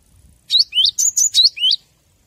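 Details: Cinereous tit song used to train caged birds: a short burst of six bright, high chirps, alternating upward-sweeping notes with flat whistled ones, in a quiet setting.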